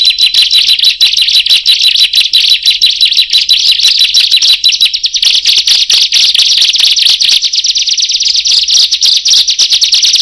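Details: Bar-winged prinias calling after one starts and the rest join in: a long, dense, fast chatter of high, scratchy chirps, roughly three per second, merging into a continuous shrill trill that stays loud throughout.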